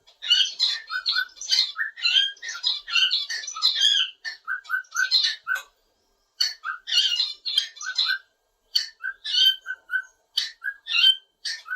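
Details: Pet cockatiel singing indoors, a bird that sings all day and perches on a curtain bar: quick bursts of mid-high whistles and raspy chatter, delivered in dense runs broken by brief pauses.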